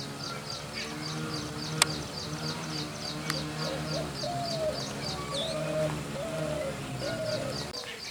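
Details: Low hollow coos from a spotted dove, four level, slightly slurred notes in the second half, with a loud hum, sharp clicks and a fast repeating high chirp from another caller in the background.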